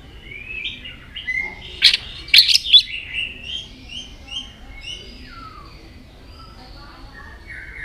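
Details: White-rumped shama singing varied notes while flicking its tail; soft warbled whistles and short upslurred notes, interrupted by a burst of loud sharp clicks around the middle, then a quiet trailing phrase.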